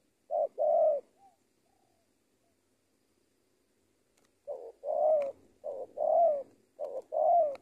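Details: Captive spotted dove trained as a decoy in Indonesia, giving one paired coo, falling silent for about three seconds, then resuming with three more short-then-long mellow coos.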